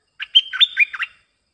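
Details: Lure song of a streak-eared bulbul, played to draw in wild birds: a brisk phrase of bubbly, slurred whistles and chirps lasting about one second, with notes sliding up and down.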